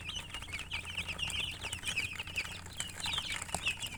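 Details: A crowd of colored chickens keeps up shrill, rapid chirping, with short bent peeps tumbling over one another for four seconds and a soft low background murmur underneath.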